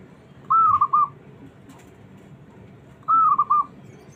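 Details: Small zebra dove with a fighting spirit, calling to challenge rivals and provoke reluctant doves into answering. Two clear cooing phrases about 2.5 seconds apart, each a sustained mellow note followed by two or three quick clipped notes, over a faint low background rumble.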